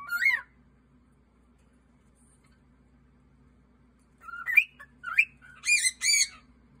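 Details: Caged cockatiel, male, singing on his 15th birthday: one rising whistle, a long silence, then a series of fluty whistled phrases with upward slurs and a few harsher squeaky notes at the end.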